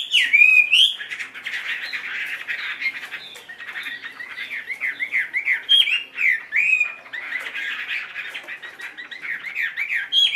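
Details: Tame caged Chinese hwamei, tail spread, singing long runs of zigzagging whistled notes repeated rapidly, alternating with harsher rattling chatter and occasional bright high slurs.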